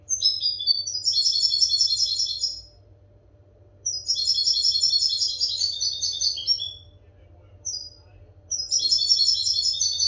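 A European goldfinch sings bright, liquid twittering phrases of two to three seconds, broken by short pauses, over a faint low hum.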